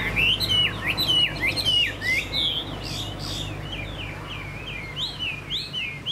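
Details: Caged Chinese hwamei pouring out a fast, varied song of slurred whistles and sweeping notes, loud at first and then softer and more spaced, over low background hum.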